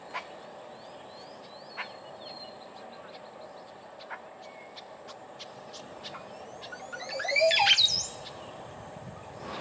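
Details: Costa Rican Montezuma oropendola giving its liquid, waterfall-like mating call during male display; scattered faint clicks and chirps, then near the end a short burst of gurgling, sliding liquid notes over a steady hiss of background noise.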